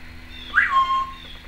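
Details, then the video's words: Timneh African grey parrot, a female pet recorded inside in 2012, giving a single clear whistle that rises briefly and then glides down and holds steady. "Timneh African Grey Parrot...various noises"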